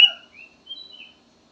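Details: Short song fragment of a golden bulbul (kutilang emas). One sharp whistled note is followed by a few softer, wavering fluty whistles.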